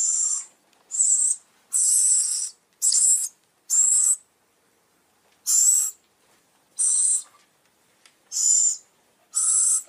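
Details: A run of harsh, breathy owl screeches, each short and hissing, delivered in irregular bursts with a brief pause midway; this owl sound serves to lure birds.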